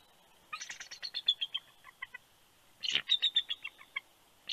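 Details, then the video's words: Wild bald eagle pair at their nest in Big Bear, California, on 28 January 2020, at the last shift change of the night, the male calling his mate to the nest. Two bursts of high, rapid chittering notes, each series slowing and fading. "Last Shift Change Of The Night, Both VERY Vocal!"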